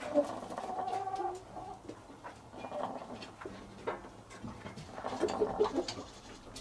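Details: Laying hens of the domestic chicken giving soft, repeated clucks and short throaty notes, then a quick run of sharper clucks near the end, over low rumbling background noise.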